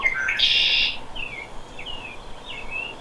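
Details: Red-winged blackbird giving its conk-la-ree, described as marking territory and attracting females: short opening notes, then a shrill buzzy trill lasting about half a second, followed by thin slurred whistles from another bird.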